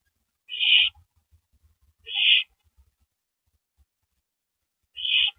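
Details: Nesting owl at night, 9 April 2012 near 8 PM, as a mouse is brought to the nest: three hoarse, breathy screeching hisses spaced roughly two seconds apart, with soft low knocks between them.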